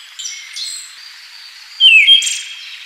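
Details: Single loud downslurred whistle from a Siberian thrush near the end, preceded by faint, distant high notes and quiet natural background.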